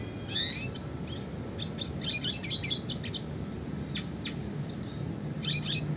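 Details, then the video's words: Lively high-pitched twittering and chattering from a red siskin, classic song for training songbirds, with quick runs of notes, a few sustained squeaky whistles and short pauses. "kicauan suara burung red siskin klasik gacor untuk pancingan dan masteran burung berkicau"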